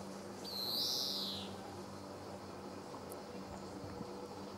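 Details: A single drawn-out, buzzy wheeze from a male European greenfinch at Sabunike, Croatia, on 26 July 2014, high-pitched and lasting about a second, over a steady low background hum.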